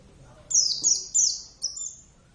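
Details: Javan Oriental white-eye (Zosterops palpebrosus javanus), a kept cage bird in strong song: four bright, high whistled notes, each sliding downward, given in quick succession and ending on a longer level note.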